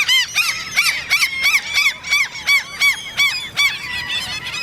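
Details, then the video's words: A common gull squeaks during the mating season, a begging behaviour that young birds later copy to get food. The arched squeals repeat about three times a second in a steady, insistent series. "Quietschende Sturmmöwen"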